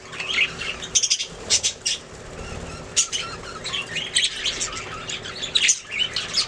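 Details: Budgerigars singing: bursts of rapid, buzzy, high warbling and sharp chirps, repeated in clusters every second or so, with brief clicks and scratches between phrases.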